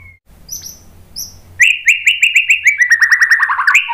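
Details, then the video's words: White-rumped shama singing as a lure for other birds. A few faint high notes come first, then a rapid, even series of about twenty short whistled notes that slowly drops in pitch before a final rising note. "KICAUAN MURAI BATU memancing BUNYI jadi NYAUT GACOR NGEPLONG BONGKAR ISIAN ¦ PANCINGAN MURAI"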